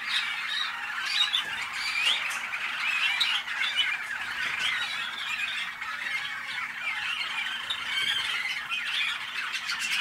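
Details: Waterslager, also called Malinois, canary bred in North Canton, Ohio, USA, in 2010, delivering an unbroken stream of rolling, water-like trills and gurgling warbles, with a faint constant low hum in the background.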